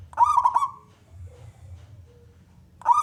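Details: Male local zebra dove, a contest-type bird, singing to draw other doves into song: one short rolling, vibrating coo phrase, then near silence with faint low hum, then another loud phrase starting at the end.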